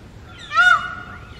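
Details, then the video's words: Indian peacock in India giving one loud, nasal, honking cry that swells and falls in pitch and is rich in overtones, in otherwise quiet surroundings. "Vocal Compilation of Indian Peacocks | Peacock Sounds"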